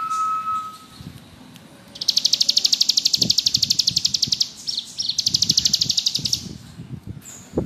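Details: Bar-winged prinia delivering two long, rapid, buzzy trills in ngebrem style, separated by a few chirps. A steady lower whistled tone opens the recording, and faint rustling taps sound underneath.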